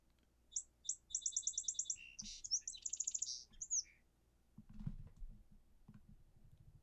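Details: A song sparrow, a common eastern woodland bird, sings two clear opening notes, then a quick, even trill and a jumble of buzzy, sweet notes, ending in low rumbling and a voice.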